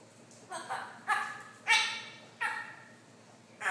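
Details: Congo African grey parrot, one and a half years old, talking: five short, harmonic, word-like bursts spaced about half a second to a second apart, each sharp at onset and fading, over a quiet background.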